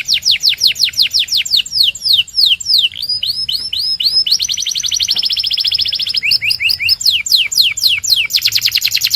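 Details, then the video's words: Belgian canary singing continuously as a training song to stimulate other canaries: fast rolling phrases of repeated downward-sweeping whistles, a sustained buzzy trill in the middle, then more quick sweeping notes. "Canto de Canário 2026 Mais Procurado 🔥 Som de Canário Belga Super Afinado SEM PARAR‼️"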